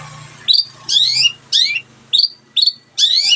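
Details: Long-tailed shrike singing gacor-style to draw other birds into song: repeated harsh, chattering phrases with descending streaks, roughly two per second, over a steady low hum.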